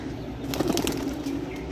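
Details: New pigeons waking up in the morning: a low, soft cooing burst lasting under a second, mixed with sharp clattering clicks and steady background hum.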